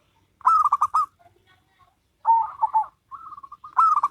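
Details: Zebra dove duet, a local bird against a crossbred one: three loud bursts of quick pulsed cooing, separated by a pause and a soft run of even notes.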